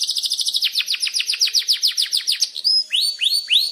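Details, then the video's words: Canary song meant as a training lure: a fast stream of descending chirps slowing into deeper sweeps, then a pure whistle and several arching upswept notes. "Masteran Suara Burung Kenari Gacor Panjang cuit cuit Ngeroll untuk Pancingan Kenari!"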